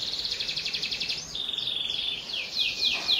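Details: Young-canary prompt song from a persistently singing domestic canary: a fast buzzy rolling trill, then a held whistle, ending in sharp descending swept notes.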